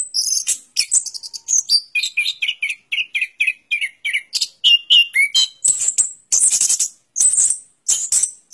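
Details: Orange-headed thrush delivering a run of repeated descending chirps, roughly three per second, then harsh, very high buzzy bursts.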